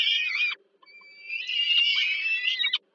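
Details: Peregrine falcon chicks begging at supper as the mother feeds them, Żerań, Warsaw, Poland, 15 July 2022: a brief rasping scream, a thin whine, then a long sustained strained shriek ending abruptly.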